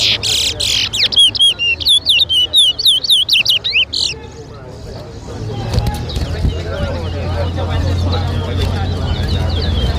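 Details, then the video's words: Competition towa towa at Lusignan, Guyana, in 2023, giving a sustained burst of sharp, sweeping whistles, rapid and repeated for four seconds, before the bird falls silent under murmuring spectators and low music. "TOWA TOWA BIRD WHISTLING COMPETITION"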